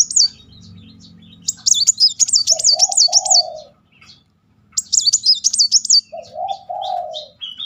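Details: Van Hasselt's sunbird's rapid-fire 'nembak' song, played as a lure to make other sunbirds sing: two long runs of high, wavy, repeated notes, each followed by a lower warbling phrase, with quiet gaps.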